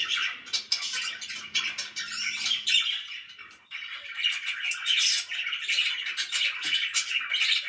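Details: Very loud pet budgies keep up busy, scratchy chirping and warbling, with quick notes tumbling over one another. A low steady hum runs under the first three seconds, then a brief pause before the chatter resumes.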